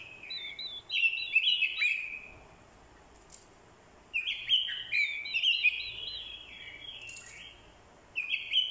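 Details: Orange-headed thrush, a decoy bird, giving fighting song with a female's call used to provoke the male. Two strong bursts of rapid, varied warbled whistles are separated by a quiet pause, and a new phrase begins at the end.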